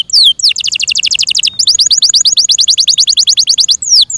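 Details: Kept Yorkshire canary delivers long, rapid trills of short downward-sweeping notes, broken by a brief pause, with single longer downslurs at the start and end.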